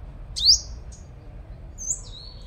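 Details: Lure sunbird in Long Thành, Đồng Nai, Vietnam: a bright, sharply rising high note, a brief thin chip, then two drawn-out high whistles, the last one slightly falling.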